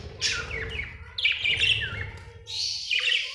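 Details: Budgie described as happy chirps in high, buzzy, warbling bursts with quick downward-sweeping notes, over a faint low background hum.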